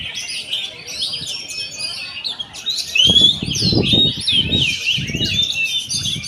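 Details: Oriental magpie-robin song of sharp whistles, upslurred notes and scratchy chatter crowded together, with a clear rising whistle midway and heavy low thumping noise in the second half.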